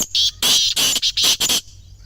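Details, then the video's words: Grey francolin call, used to prompt silent captive francolins to call: five loud, harsh, high-pitched bursts in quick succession over about a second and a half, ringing and slightly buzzy, then quiet with faint background hiss. "خاموش تیتر کو بولنے پر مجبور کرنے والی جادوئی آواز | Teetar Voice for Non-Singing Birds"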